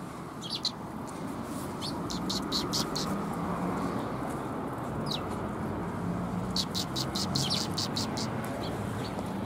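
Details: Sparrows come for food at a Tenmangu shrine on 27 February 2021; scattered high chirps early, then a dense rapid chirping burst near the end, over loud steady low traffic-like rumble.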